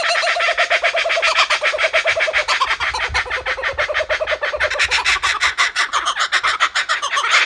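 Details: Laughing kookaburras at a bird park giving a loud, rapid chorus of chuckling, cackling notes in pulsed bursts that rise and fall, several birds overlapping throughout.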